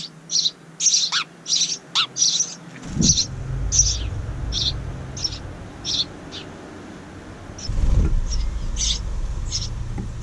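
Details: House wren chicks from a second brood in a bird house by a window rasp rapidly for the first three seconds. After that, a rumbling, broadband noise and thumps largely cover their fainter continuing hisses.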